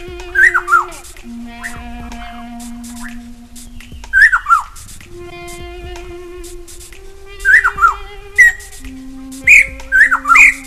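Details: Rusty-cheeked scimitar babbler, Taiwan endemic subspecies, at Dagangshan Ecological Park, Kaohsiung, 19 September 2011: loud, mellow, down-slurred whistled phrases in bursts every three to four seconds over low sustained humming tones.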